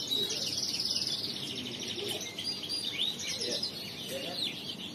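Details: Male crested canary singing in the riwikan style, a continuous high, rapid warble of chattering trills and short whistled notes packed together, with faint low murmuring in the background.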